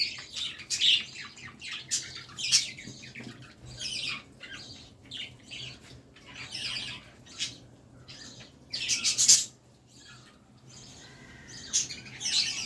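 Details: Budgerigar (Melopsittacus undulatus), chatter.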